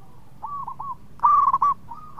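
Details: Local zebra dove with a sweet, active song, said to stir others to call. A soft three-note rolling coo is followed by a loud, sharply stuttered phrase, then a faint rising note.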